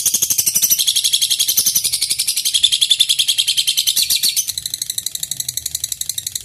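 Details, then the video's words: A lovebird delivers a long ngekek bout to provoke rivals into song: a rapid high rattling chatter of chirps, steady and intense, dropping to a thinner, quieter trill after four seconds. "Lb ngekek durasi panjang, burung lovebird gacor"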